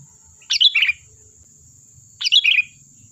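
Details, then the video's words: Lively sooty-headed bulbul used as a lure to get other birds to answer, giving two quick bubbly chirped phrases, each falling slightly at the end, spaced under two seconds apart over a thin constant high tone. "Suara burung Kutilang Gacor || Ampuh untuk pancingan, dijamin nyaut"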